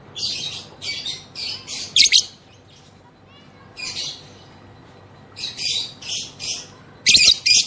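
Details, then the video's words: Female lovebird, whose long ngekek song provokes other lovebirds to sing, here giving bursts of harsh, high chirps in quick runs of three or four, with pauses between groups. "BURUNG LOVEBIRD BETINA NGEKEK NGETIK PANJANG || PANCINGAN AMPUH BIKIN LB NGEKEK"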